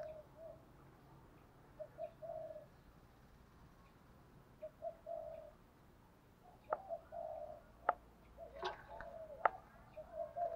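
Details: Decoy spotted dove cooing to provoke wild doves; spaced, low, rounded coo phrases with pauses between groups, then sharp clicks and taps grow frequent toward the end.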